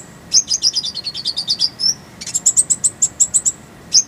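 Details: Purple-throated sunbird giving a clear rolling song for tutoring songbirds: a quick series of high, sharp notes stepping slightly downward, a brief pause, then a second rapid run of even high chirps, ending with one lone note.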